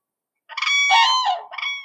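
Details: A common crane (Grus grus) gives a loud, rolling, far-carrying trumpet at Hunneberget: one harsh, ringing bugle lasting over a second, then a shorter second note. No other sounds are heard.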